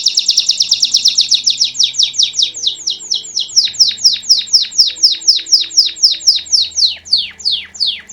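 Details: Belgian canary singing pure campainha (bell) song: a quick rolling trill that slows into a series of clear, descending whistled notes, each repeated about twice a second, over a faint background hum.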